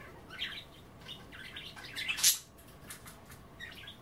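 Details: Indoor budgies enjoying kale and water at bath time; soft warbled chatter throughout, swelling to a loud harsh burst near the middle, then thinner chirps.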